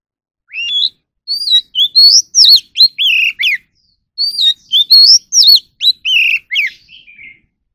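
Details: Oriental magpie-robin during song practice, producing two bursts of rich whistling separated by a short pause. Each burst has quick upward-curving notes and drooping slurs, and the song trails off softly at the end.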